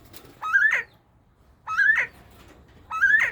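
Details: Bobwhite quail during breeding season, three loud rising whistles about 1.2 seconds apart, each a short lead-in swept up into a clear upslurred note, in an otherwise quiet setting.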